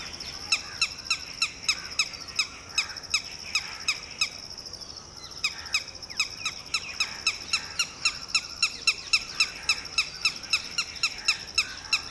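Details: Panicked red-wattled lapwing mother guarding her two roving chicks and an unhatched egg as a shikra raptor swoops low; steady stream of sharp, high, repeated notes, several per second, continuing throughout.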